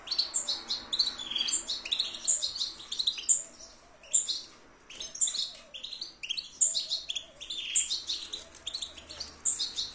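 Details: Goldfinch song made of rolling sequences of high twittered notes and sharp chirps, repeated in bursts roughly every second, fairly soft with a quiet background.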